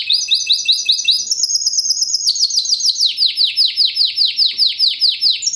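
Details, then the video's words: A 2013 Timbrado Español canary, fast, metallic and strong in classico style, gives quick high trills that give way to evenly spaced downsweeping notes, about four each second. "Timbrado classico FOE 2013"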